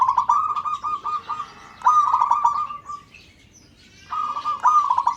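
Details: Local-type zebra dove giving a call meant to set other birds singing: long runs of fast, throaty pulsed coos on a steady pitch, broken by a brief pause before a fresh stuttering series resumes.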